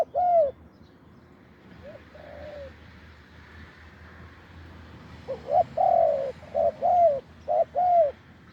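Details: Wild spotted dove with a deep voice near a branch decoy, a few scattered coos then a run of short-long cooing pairs, over a steady low background hum.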